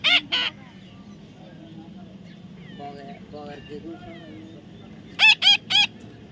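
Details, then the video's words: Baby parrot giving two harsh, buzzy screeches at the start, then a quick run of three loud, ringing squawks near the end, with quiet background murmur between. "natural funny parrot sound"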